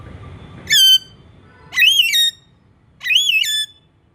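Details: Pet Alexandrine parakeet giving three loud, harmonically rich whistled calls, each rising then wavering, about one second apart, with faint background murmur.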